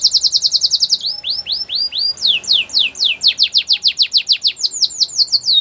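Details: Canary singing a training song. A rapid high chatter opens, followed by slower upward-curving whistles and a long series of quick descending sweeps that repeat about three per second.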